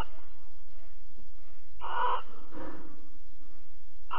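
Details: Barn owl pair at Alphen, 22 April 2020, 21:37, mating and cuddling: one loud hissing screech, a softer rougher rasp after it, then the start of another screech, over a low hum.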